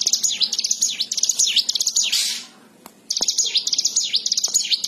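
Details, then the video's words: Bar-winged prinia, known as ciblek sawah, singing gacor: two bursts of fast high chirps and swooping notes separated by a brief rushing noise and a short quiet gap. "ciwah! ciblek sawah gacor"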